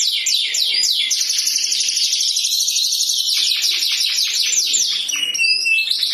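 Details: Canary singing a loud, unbroken stream of rapid chirps and fast trills, high and bright, with quick downward-sweeping notes packed closely throughout and a few sharper whistled notes near the end.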